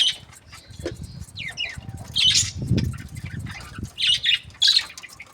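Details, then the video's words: Budgies chirping and squeaking in quick high bursts, with several sharp chirps near the end, over low background noise and a brief murmur. "Budgies parrot chirping sounds"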